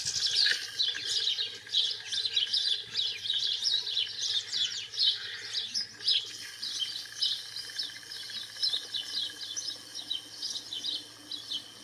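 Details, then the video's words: Wild European goldfinch song, a long run of fast, bright twittering and jangling notes, dense at first and looser later, with a constant low background hum. "الحسون الخلوي في البرية"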